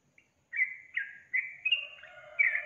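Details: Yellow-vented bulbul uttering several sustained whistled notes that end in a busier, overlapping phrase over a faint low tone.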